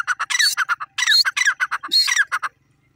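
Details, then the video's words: Grey francolin calling: loud, harsh, squawky notes delivered in rapid rhythmic bursts, several phrases running together for about two and a half seconds before falling silent. "grey francolin sounds"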